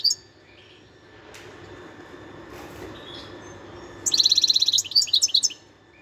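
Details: Wild European goldfinch recorded in 2021: after a quiet stretch with faint background hiss, a brief burst of rapid, high, tinkling twitters and trills arrives near the end and lasts about one and a half seconds.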